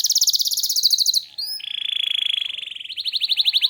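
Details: Rapid canary trilling in the lively gacor manner, a high pulsing trill giving way to a long steady buzzy roll, then quickening rising notes.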